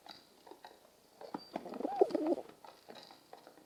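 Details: Morning pigeons: a short, low, throaty rolling coo in the middle, among softer murmuring coos and light rustling.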